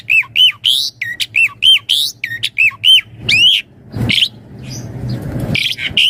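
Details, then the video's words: Javan pied starling, constant 'isian mompa' song for training and luring starlings: quick bright whistled notes in a tight series, ending in a louder upward sweep, followed by rustling noise and a couple of final whistles. "Suara Jalak Suren Gacor Isian Mompa Full Variasi"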